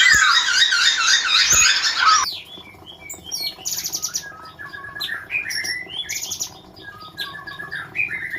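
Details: Sooty-headed bulbul in a cage, Semarang area. Loud harsh chattering fills the first two seconds, then come quick high chirps, short whistled notes and clicking bursts in an irregular series.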